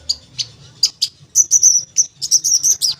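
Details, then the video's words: Long-tailed shrike song played to prompt shrikes that have stopped singing: a few short scratchy chips, then a run of clear high whistled notes in quick succession. "Pancingan Cendet Ampuh, Pancingan Cendet Bahan Atau Macet Bunyi, Cendet Macet Akan Ikut Bunyi"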